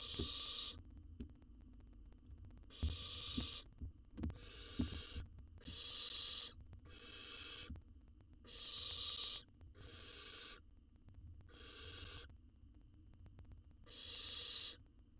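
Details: Wild baby owl in a nest box monitored for research, swallowing a jird whole; harsh, breathy hissing screeches about a second long, repeated roughly every one to two seconds, with soft knocks and rustling between bursts.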